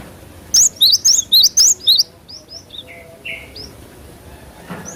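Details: Cinereous tit in full song, a natural recording used as a lure for cage birds; one quick run of seven bright, high, rising-falling whistles, followed by softer, lower, thin notes.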